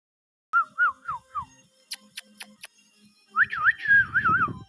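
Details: Pet green rose-ringed parakeet whistling a row of four wavering whistled notes, then a few sharp clicks, then a longer warbling whistle that swoops up and down.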